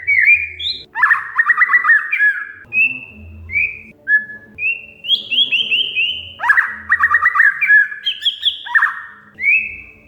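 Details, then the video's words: Oriental magpie-robin song with sharp chattering and varied fill material, meant as a lure and tutor: dense rasping chatter bursts alternate with clean whistles at shifting pitches, some upslurred, others falling in short runs; faint low hum. "Kacer Mogok Bunyi Tiba-tiba Gacor Isian Mewah"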